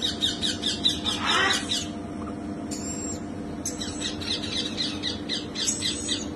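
Red-collared lorikeets give harsh, grating screeches in a near-continuous chatter, several squawks each second, over a steady low background hum.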